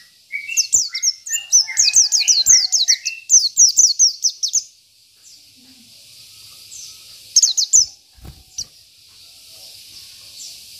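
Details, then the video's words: Singing local Oriental white-eye, isian style for tutoring birds: five seconds of dense, high, rapid descending chirps mixed with lower clear whistles, then mostly quiet with one short chirp burst. "PLECI BIKIN EMOSI LAWAN || Pleci Lokal || Pleci Isian"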